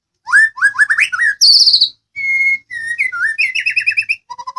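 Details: White-rumped shama of the Medan type singing a training song to make other birds answer: rising whistled notes, a harsh buzzy burst, a steady pure whistle, quick trilled phrases and closing rapid chips.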